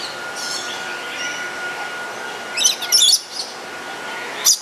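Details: Black-capped lory pair filmed with a JVC GZ-HD7: faint high chatter early, then a burst of sharp screeching squawks in quick succession, a short pause, and one final shrill note, with a thin steady hum throughout.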